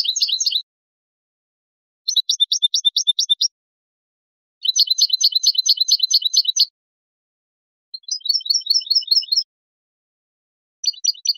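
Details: European goldfinch singing basic song phrases of the tableteo (rattle) type: bursts of rapid, evenly spaced high metallic notes, each phrase one to two seconds, separated by short silences, clean with no other sounds.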